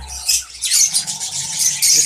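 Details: A colony of Fischer's lovebirds chatters in a constant, overlapping stream of shrill, harsh, high-pitched squawks and screeches, with bursts coming several times a second.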